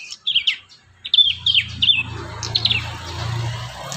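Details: Prinia song for tutoring young prinias. A few high, downslurred chirps come in quick pairs and triplets, then fainter notes fade into a steady low hum.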